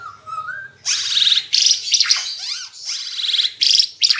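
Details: Ara Timor bird singing vigorously, a recording meant for teaching song to caged birds; a thin whistled note slides upward, then loud bursts of high, buzzy, scratchy notes follow in quick irregular succession.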